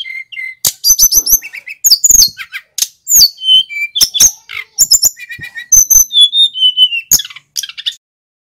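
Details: Male sikatan gunung flycatcher, recorded as a lure to teach wild-caught flycatchers, pours out a long run of thin high twitters, clicks and steady whistled phrases, ending abruptly.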